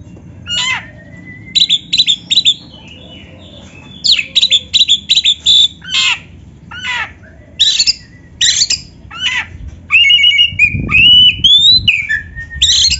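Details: Rich varied song of a white-rumped shama, used as a master recording to train kept birds: bursts of sharp sweeping chips and harsh buzzy notes, then a run of clear rising whistles near the end, with a low rumble behind.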